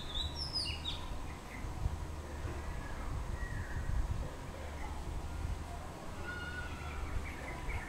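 An Oriental magpie-robin sings a few bright, falling whistled notes at the start, then softer scattered phrases, over a steady low rumble of background noise.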